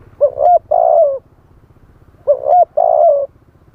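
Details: Live spotted dove decoy in wild-style song, luring wild doves: two repeated coo phrases, each a short upslurred note followed by a longer level burr, against a low pulsing mechanical hum.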